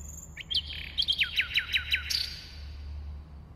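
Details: Common nightingale sings a brief phrase: a couple of swooping notes, then a quick descending series of about eight sharp, evenly repeated strokes, closing on a thin high whistle; low steady hum beneath.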